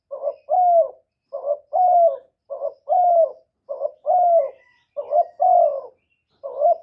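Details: Loud calling of a young male spotted dove in a clean recording: steady run of two-part phrases, a brief broken note then a drawn-out falling coo, about five phrases in quick succession with no other sounds.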